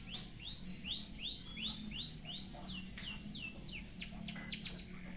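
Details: White-headed munia performing song packed with canary phrases for tutoring: repeated upslurred whistles, five in a row, followed by loud downward-swooping notes at a brisk pace, a faint hum underneath.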